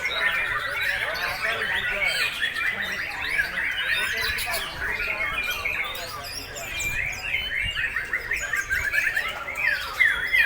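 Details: Captive white-rumped shama breeding bird, recorded 26 September 2021, singing without pause: dense run of quick chirps, trills and whistled notes, busy and overlapping, with human voices in the background.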